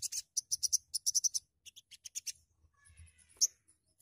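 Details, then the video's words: Sogon bird sound used to stimulate singing: quick bursts of sharp, very high clicking chirps over the first two seconds, then a thin faint whistle and one piercing note near the end. "AMPUH MERANGSANG BUNYI BURUNG SOGON"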